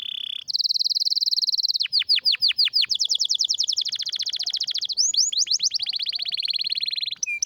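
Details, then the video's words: Canary with a strong, rare song: a fast, loud rattling trill, then a string of deep downward sweeps, a high rolling trill, more curving slurs and a lower trill, all rapid and unbroken. "Canário com Canto Raro e Forte – Ótimo para Seu Mestre Canário HD - CANARY SOUND MELODY"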